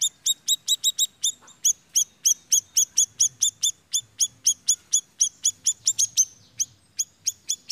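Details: Siri-siri bird as a lure to attract birds, giving a long, steady series of piercing high chirps, each a sharp downward flick, repeated about four times a second with slight pauses, over a quiet low rumble.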